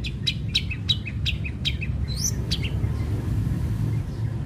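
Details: Long-tailed shrike song used as a lure to make other shrikes join in: a quick series of sharp chirps and short slurred notes for about two seconds, then fading out, leaving a low background hum.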